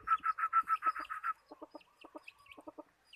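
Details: Decoy chicken used for trapping birds: a rapid string of about eight loud, even clucks, then slower, softer low clucks, with faint high chirps behind.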